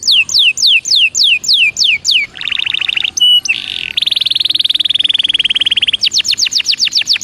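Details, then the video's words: Belgian canary singing to warm up: falling whistled sweeps, a buzzy trill, a steady whistle, a long rolling buzz, then the fast falling sweeps again. "CANTO DE CANARIO BELGA PARA ESQUENTA"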